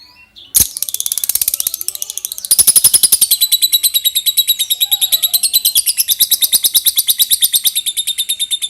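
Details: Caged lovebird in a long ngekek trill, a dense high chattering run of rapid pulses that intensifies after about two seconds and keeps going steadily to the end.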